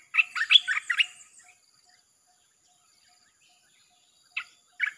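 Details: Red-whiskered bulbul in nonstop chopping song, played to lure wild birds: a quick run of bright, rolling, slurred notes, then a long silence broken by two short sharp chirps near the end.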